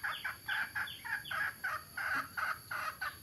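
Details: At Tha Som, Nam Som, Udon Thani, adult mixed-breed junglefowl of both sexes utter rapid, raspy repeated notes, each short and slightly falling, about three per second, close and clear above a quiet background.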